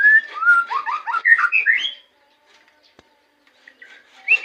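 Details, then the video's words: Indonesian white-rumped shama giving a fast cascade of whistled slurs and chirps for two seconds, then near silence with a single click and soft notes. "murai batu"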